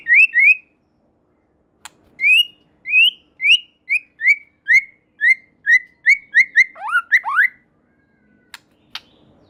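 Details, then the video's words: White-rumped shama song said to make other shamas sing along: a long series of about a dozen bright, upward-slurred whistles repeated roughly every half second, ending in a quick tumbling flourish and a few clicks. "Murai Batu Gacor Super Mantul Murai Lain Otomatis Ikut Bunyi"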